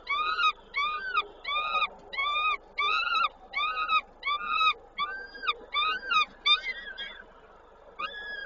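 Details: Peregrine falcon at its Koszalin nest, Poland, 19 May 2022, during feeding; loud, rich, arched wailing calls repeated steadily about every half second to second, with brief gaps and faint background noise.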